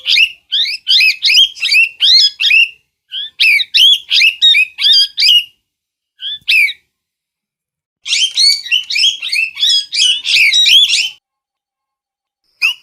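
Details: Parrot producing bursts of rapid, raspy squawks separated by short silences, the last burst dense and excited, with one isolated screech at the end.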